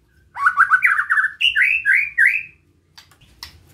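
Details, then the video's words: White-rumped shama singing a besetan lure to stir other shamas: a rapid series of rich rising notes stepping upward in pitch over two seconds, then faint scattered chips with some low rumble. "Suara Besetan Santai Mancing Emosi Murai Lain | PANCINGAN MURAI BATU"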